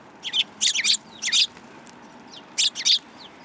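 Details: Several sparrows at a Tenmangu shrine approach on 13 February 2022 give loud, sharp, high-pitched chirps in paired clusters, a busy run early on, a gap, then another close pair, over faint hum.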